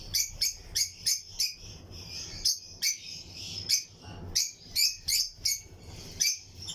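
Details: Pairs of Lutino lovebirds in a colony aviary cage give short, sharp, high chirps, repeated roughly every third of a second in clusters, over a steady thin high chatter from the flock.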